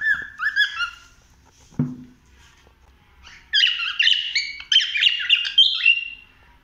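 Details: Cockatiel wandering through a house: a few whistled notes, a soft knock, then a loud run of rapid chattering, warbling song syllables over the final three seconds.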